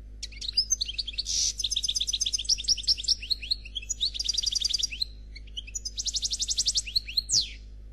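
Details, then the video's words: Black goldfinch, khalwi style, delivering a continuous faultless song of rapid tinkling twitters, buzzy notes and fast trilled runs high in pitch, ending on a downward slurred note, over a faint low hum. "Chardonneret Noir Khalwi Chant sans fautes"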